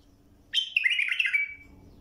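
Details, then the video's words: Bulbul song offered as a tutor recording for teaching young birds a clear song: one rich, slightly harsh warbled phrase of about a second, starting high and breaking into quick notes that settle into a sustained tone, over a faint low hum. "للتلقين وتخريج تغريد صافي"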